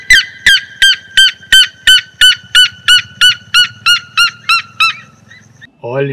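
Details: Red-legged Seriema in the sertão of Bahia, Brazil, giving a loud series of about fourteen sharp, yelping notes at a steady pace of roughly three per second. The series fades at the end, and a man begins speaking.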